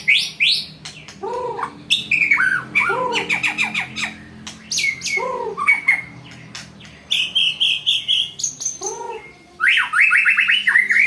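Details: Challenging song of a white-rumped shama: varied loud phrases mixing low rising whistles, rapid sharp clicking notes in bursts, fluty slurs and a buzzy high trill, repeated with brief pauses throughout.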